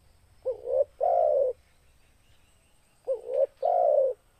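Spotted dove cooing: a short rising note, then a longer, steady, hollow coo, with the two-part phrase repeated about every two and a half seconds. Otherwise quiet.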